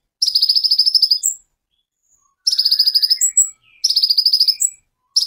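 A sunbird delivers three fast, high, buzzy trills about a second long each, every one ending on a sharp, thin whistle, with brief silences between.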